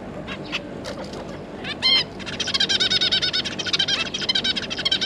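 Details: A zebra finch pair and three juveniles, 9 June 2022. A few separate nasal calls, one loud around the middle, lead into a sustained, fast, pulsing chatter of repeated harmonic notes.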